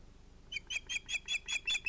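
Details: Osprey at its nest during a sunset fish delivery on 11 August 2018, breaking into a rapid series of loud, piercing, high chirps, about five per second.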